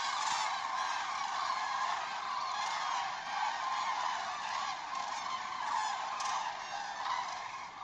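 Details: A steady chorus of loud, rolling, trumpeting calls from many common cranes, overlapping without a break, recorded at Vanamõisa village, Haljala parish, Lääne-Viru county, Estonia.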